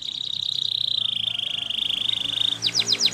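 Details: Singing Russian canary holding a long, steady, buzzy trill for over two seconds, then switching to a quick burst of sharp descending notes.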